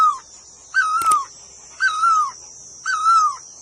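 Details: A bird repeats a sustained, gently falling call roughly every second, accompanied by a steady high-pitched hiss and one brief sharp knock.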